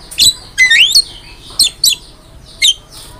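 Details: Master recording of a lively Javan myna for songbird training: a rising whistled slur among harsh chirps, followed by spaced sharp squeaky notes.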